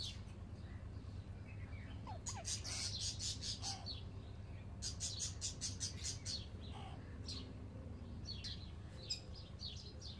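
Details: Newly arrived baby Alexandrine parakeets kept as pets: two clusters of rapid, scratchy chirps, the first around the third second and the second around the sixth, then scattered softer calls, with a constant low background hum.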